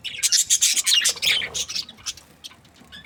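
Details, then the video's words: Happy budgerigars chirping, with a burst of rasping, buzzy chatter that fades to a few isolated short chirps. "Happy budgies chirping sounds"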